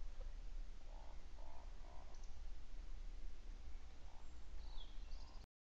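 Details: A woodcock on 1 April 2019 at 20:32 in the evening gives low, frog-like croaking grunts in a short series, then a thin, sharp high squeak, over a steady low rumble of wind or distant noise.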